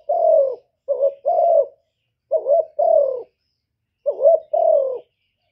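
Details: Spotted dove calling three times with gaps between. Each call is a quick rising-and-falling note leading into a longer, softly descending coo, and the setting is otherwise silent.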